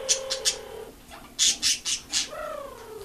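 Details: A female cockatiel kept as a pet, eager for attention, sings: a steady low whistled tone that falls at the end, broken by a run of short bright chirps and squeaky notes, then a rising and falling whistled phrase.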